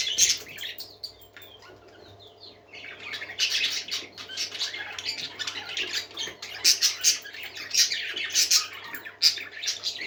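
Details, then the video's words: Happy parakeets singing together: dense overlapping chirps, squeaks and scratchy warbles, quieter at first and then building into a lively, continuous chorus with sharp bright peaks. A faint low hum runs beneath. "Happy Parakeets Singing"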